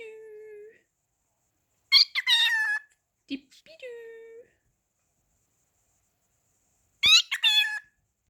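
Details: Talking pet cockatiel indoors imitating "whatcha doing": two bursts of scratchy, warbled, high mimicked phrases about five seconds apart, with a person's low, steady voice before and between them.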